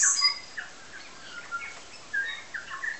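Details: New Zealand bellbirds feeding and singing on Tiri Tiri Matangi Island: short, clear, liquid notes and brief chiming phrases at scattered intervals, with higher thin squeaks between them.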